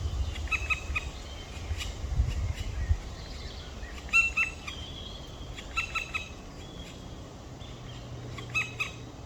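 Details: Pair of black woodpecker nestlings calling on the evening of 23 May 2023, 19:43: repeated harsh, nasal notes in irregular quick series, roughly thirty a minute, with some softer squeaky sounds between and low background rumble.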